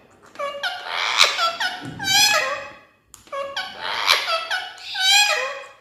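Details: Indian ringneck parrot kept as a pet chatters non-stop at its mirror reflection: two long, nasal, speech-like phrases of stacked squawky syllables, split by a brief silence, in a small indoor room.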